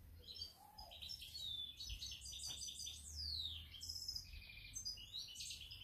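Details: European goldfinch on 7 March 2021 giving a continuous tinkling song of high chirps, short trills and a falling whistle, partly masked by steady background hiss and low rumble.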